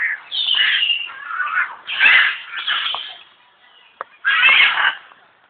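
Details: A captive African grey parrot at Alipore Zoo, Kolkata, India gives loud, harsh squawks and raspy screeches in bursts, with a brief sharp click in a quiet gap.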